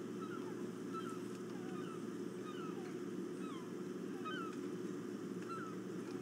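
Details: Ospreys flying around a nest perch in the early morning, 5:43 on 5 August 2017, as one bird lands. Short, thin, downslurred whistled chirps repeat in loose series over a steady broadband rushing noise.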